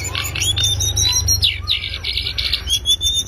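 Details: Lesser shortwing (cingcoang coklat) in loud ngriwik chattering song, recorded as a master track for tutoring cage birds: rapid high twittering with thin whistled slides and short trills, over a steady low pulsing hum.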